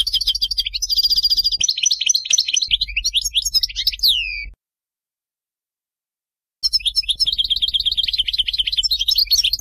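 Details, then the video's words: Goldfinch singing the Bainam Ghazarat song meant for tutoring chicks, with dense liquid twitters, buzzy rattles and sweeping downslurred notes, a pause of about two seconds, then a renewed burst of high chattering phrases. "غناء حسون باينام غازرات لتعليم الفراخ"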